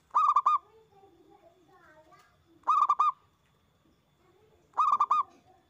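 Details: Local zebra dove in full loud song, used as a lure recording to prompt other doves to sing: three cooing phrases of about four quick, rolling notes, each phrase separated by roughly two seconds of quiet with faint background murmur.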